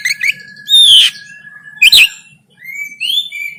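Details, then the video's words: Oriental magpie-robin in 'konslet' fighting song, recorded in Banten on a phone: two loud scratchy buzzes separated by quiet, then soft rising whistles over a steady thin tone. "KACER KONSLET TARUNG"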